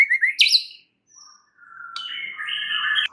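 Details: White-rumped shama lure song: a rapid chirping flourish sweeping upward, a pause, then a long sustained whistle that jumps higher and wavers.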